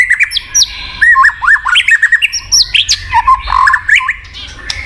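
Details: White-rumped shama (murai batu) song for getting a silent bird to sing: quick chattering sequence of short whistled notes and trills, mid-pitched, with sharp clicks throughout.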